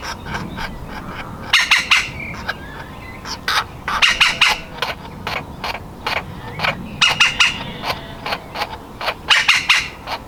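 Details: Woodpecker nestling desperate to get out of its nest hole calls in fast harsh chattering runs alternating with scattered single notes, the bursts recurring every two to three seconds.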